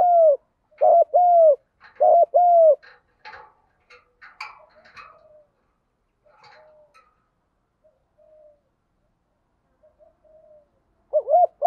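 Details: Spotted dove cooing in the giọng đồng fighting style used as a lure for wild doves; three quick double-note-and-coo phrases open, then scratchy clicks and rustling, a quiet stretch, and one more coo at the end.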